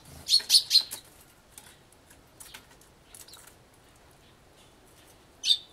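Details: Eurasian tree sparrow at a feeder, crying to drive away Japanese white-eyes, gives a burst of three or four harsh, loud chirps, then scattered softer chirps and one more harsh cry near the end.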